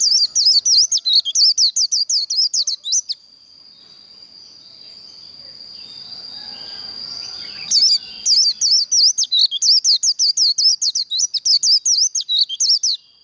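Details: White-eye contest song used to fire up birds for singing contests: two long runs of rapid, high, sharply modulated whistles, separated by a four-second gap holding only a thin steady tone.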